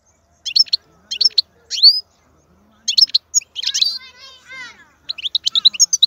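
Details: Wild goldfinch with scattered short song fragments: brief high chirps and a rising whistled slur, separated by silences, plus a lower wavering sound in the middle.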